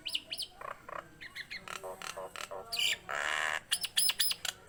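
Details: Energetic singing from a Nias hill myna, recorded as a lure for other mynas: paired arched whistles, scratchy clicks, a long harsh grating burst, then quick high whistled notes.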